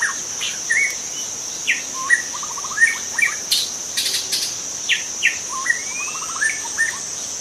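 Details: Wild white-rumped shama in forest, song for attracting other shamas: rapid trills of repeated notes, sharp slurred whistles and brief bursts, every second or so, over persistent cricket-like droning.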